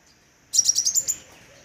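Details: A single quick run of about seven high, metallic chirps that fades off at the end, from a crimson sunbird, with a faint steady high hiss behind.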